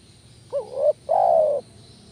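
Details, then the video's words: Spotted dove call used to lure doves: a short rising-falling coo followed by a longer, steady, mellow coo, both low and soft, over faint background hiss. "panggilan tekukur males bunyi kuk 1"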